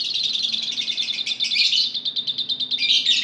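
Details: Group of lovebirds used as a singing lure for other lovebirds: unbroken high, buzzy, rapid chatter of quick repeated notes, rising in intensity near the middle and end.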